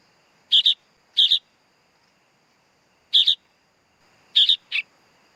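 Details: Sooty-headed bulbul nestling uttering grating doubled chirps, two close together, a lone one after a pause, then a final pair ending in a lower rasp, faint steady hum behind.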